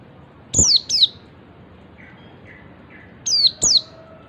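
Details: Oriental white-eye ngalas call, described as making other white-eyes join: two pairs of sharp descending high notes about three seconds apart, with soft lower chirps between them.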